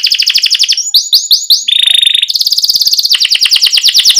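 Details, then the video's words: Canary song, loud and fast, used as a lure to get young canaries singing: rapid rolled trills, a run of rising swept notes, a steady buzzy tone, then quick repeated chips. "Criit CUIT Cuit Kenari GACOR Ngerol Jeda Buat PANCINGAN Kenari PAUD Supaya Cepat BUNYI GACOR"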